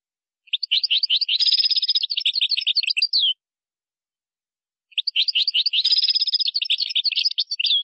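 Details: Moroccan-style European goldfinch song featuring gazarat and srrr bertbertio passages. Two bright, rapid twittering phrases of about three seconds each, rich in tinkling and buzzy notes, are separated by a clear gap with no other sounds.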